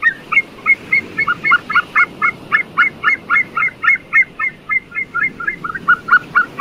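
A White-tailed eagle gives a steady run of loud, yelping, slightly goose-like notes, about four a second, over a low rumble of background noise.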